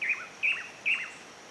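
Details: A Pallid Spinetail building a ball-shaped moss nest, oddly well outside the usual breeding season, gives three sharp, high chips about every half second, each dropping into a brief falling twitter, over a faint hiss.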